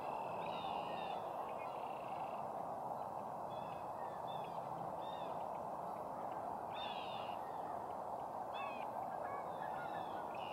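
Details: Two sandhill cranes dancing in a hay field on a March 29, 2018 morning in Simcoe County, Ontario, Canada; rolling, rattling calls come in short bursts over steady broadband wind-like noise.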